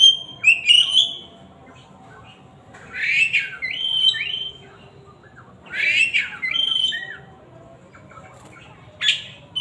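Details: Oriental magpie-robin pouring out a loud song: clusters of rich whistles, slurred up-and-down notes and harsh rasping elements in phrases every few seconds, separated by short pauses.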